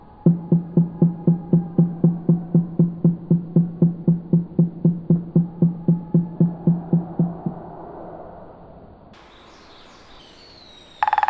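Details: Grey-headed woodpecker drumming: hollow, resonant knocks, about four per second and very even, for around seven seconds. Then quiet hiss and a brief sharp noise.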